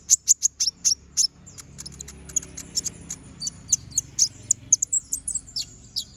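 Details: Continuously singing brown-throated sunbird, a master recording for tutoring other birds: rapid bursts of piercing high chips, at first spaced evenly, then a busier stream of twittering notes.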